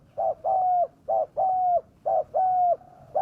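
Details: Spotted dove lure call for wild doves: three clean pairs of hooted notes, each a brief coo followed by a longer level one, spaced about a second apart.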